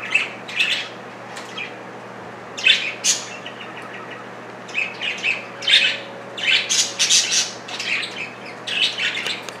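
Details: Two budgerigars, about 1.1 ounces of fury, tussling over broccoli; scratchy squawks and chirps come in short clusters separated by brief quiet gaps, against a low background hum.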